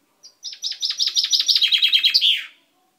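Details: Single phrase from a caged pet chaffinch whose beak had just turned purple, 10/05/12: a brisk run of repeated chirping notes that steps lower as it goes, ending in a clear flourish.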